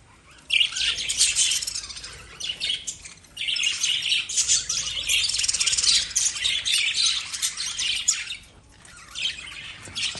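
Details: Pet lovebirds chirping: dense, continuous high-pitched chattering and squeaky twitters in overlapping waves, with short lulls around three and eight seconds.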